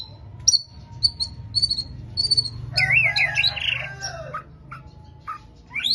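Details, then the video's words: White-rumped shama in song: short high chirps repeated at first, then a loud wavering warbled phrase and brief whistles, with a faint low hum underneath. "murai batu pastol gacor"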